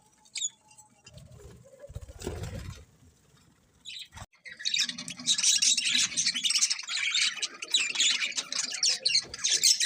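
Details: Birds in the morning, quiet low rustling and a brief knock at first, then from about four seconds a dense, continuous chorus of high, rapid chirps and squawks from many birds.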